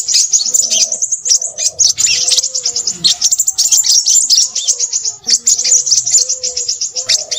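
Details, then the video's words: Crimson sunbird gives busy, very high-pitched twittering, a rapid unbroken stream of thin chips and trills, with soft low dove-like cooing underneath. "burung sepahraja ribut"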